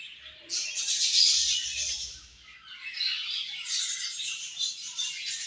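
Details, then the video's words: Several budgerigars at morning feeding time, producing a busy stream of high, scratchy twitters and warbles that swells after a brief quiet start and keeps going without pause. "Beautiful Budgies Morning Feed And Chirping Sounds"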